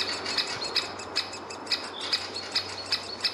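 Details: At a great spotted woodpecker nest hole with nestling and parent, short bright chirps with a squeaky edge come in a steady series, roughly two or three per second, against a soft low hum.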